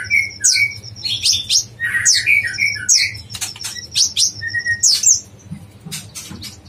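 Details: Yellow-vented bulbul in a songbird training recording of the dacok blorok style, singing busy: short whistled notes near mid pitch alternate with sharp high chirps and falling slurs, delivered in quick bursts with brief gaps.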